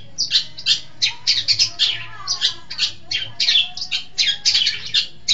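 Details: Long-tailed shrike song used as a lure for training birds, a busy stream of grating, squawky high notes packed closely together, with little pause.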